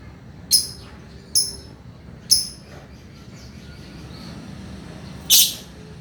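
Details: Male lovebird uttering three short, high chirps roughly a second apart, followed after a pause by a louder, harsher squawk.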